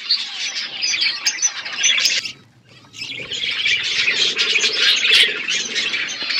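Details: Wild parrots screech and chatter nonstop in overlapping harsh chirps, broken by one short near-silent pause before the noisy flock resumes even louder.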